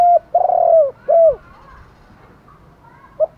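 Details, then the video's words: Luring call of spotted doves in the morning, male and female birds: the end of a phrase with a rolled coo and a falling coo, a quiet pause with faint distant coos, then a short opening note. "gay goi chim cu gay cu dat cu moi gáy gọi bổi buổi sáng, bổi nghe gáy liền"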